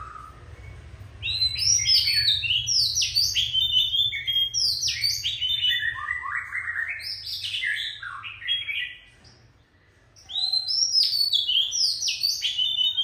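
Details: A feisty, wild-caught adult Oriental magpie-robin pours out a long, varied song of bright whistles, slurred downward notes and quick chirps. A short pause falls near the ninth second, then the song resumes strongly over faint low hum.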